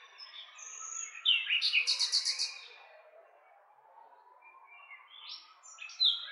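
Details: Romanian nightingale singing a phrase of rapid, evenly repeated throbbing notes, about nine in just over a second, after a sharp introductory whistle; a second phrase begins near the end amid quiet background birds.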